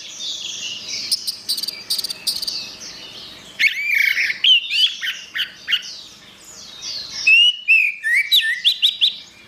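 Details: Orange-headed thrush (anis merah) song used as a master recording for training songbirds: quick, varied whistled and chirping phrases with sharp rising and falling notes in bursts, over a steady background of high repeated chirps.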